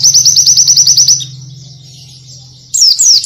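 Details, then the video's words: ['Oriental white-eye in varied song: a rapid run of about ten high, sharp, repeated chirps, then quiet, then renewed thin downslurred whistles, over a constant low hum.'] "AUDIO PLECI ISTIMEWA FULL VARIASI"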